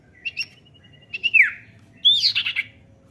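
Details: Common iora call used to prompt a young bird to sing: short thin chips and a level whistle, then a loud whistled note sliding downward, followed by a burst of bright, rising and falling whistled notes.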